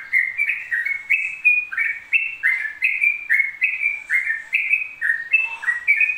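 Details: Yellow-vented bulbul in a nonstop ropel stretch: bubbling series of loud whistled notes, each bending down at the end, repeated steadily around two to three per second.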